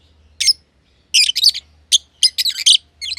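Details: Aviary lovebirds, green personata and green pied personata, giving scratchy high chirps in short irregular groups over a steady low hum.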